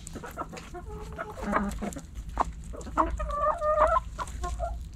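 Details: Backyard chickens, hens clucking and roosters among them while pecking and scratching; quick soft clucks scattered throughout, with a brighter wavering drawn call just after the midpoint, over low rumbling noise.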